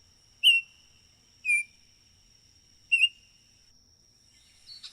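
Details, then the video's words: Baltimore oriole giving three short, clear whistles, falling slightly in pitch and spaced about a second apart, then a faint scratchy sound at the end. "Baltimore Oriole Call and Sounds"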